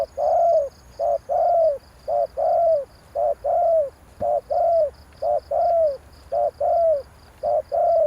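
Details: Spotted dove used as a lure to excite a decoy bird, calling continuously: about a dozen paired notes, a short coo then a longer falling coo, repeated steadily almost every half second, over a high pulsing insect buzz.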